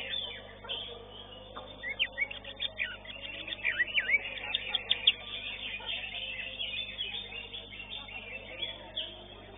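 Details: Greater green leafbird singing in a bird-song competition arena, a quick run of high, chattering, twittering phrases, loudest in the middle, over a murmur of crowd voices and other birds.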